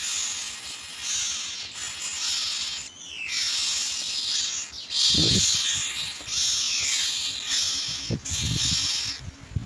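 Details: Hungry myna young awaiting feeding by parents carrying white food pellets give a raspy, hissing chorus in long broad bursts, briefly broken by a short downward sweep. Low knocks and rustles are heard near the nest.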